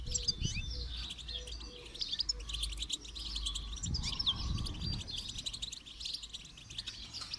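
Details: Goldfinch song for training birds to sing: a busy, high twittering with quick chirps and slurred notes over a steady low hum, with a faint low whistled note near the start.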